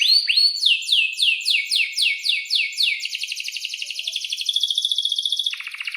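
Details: Canary in breeding condition giving chirping song with a long roll. Repeated downswept whistled notes about four a second give way to a dense, even rolling trill that rises slightly and ends in a lower buzzy phrase.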